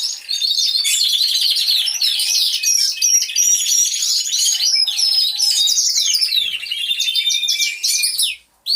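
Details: Aviary full of canaries all singing at once, real sound from a hidden camera. Continuous bright, rapid trills and chattering rolls overlap thickly from start to finish, then end in a sudden short silence.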